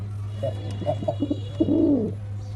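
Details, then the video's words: A black pigeon gives a series of brief soft low hoots leading into one drawn-out, throaty, undulating coo, with a constant low hum underneath throughout. "Pigeon sound effect (Ultra high quality) | Pigeon sound | Black pigeon"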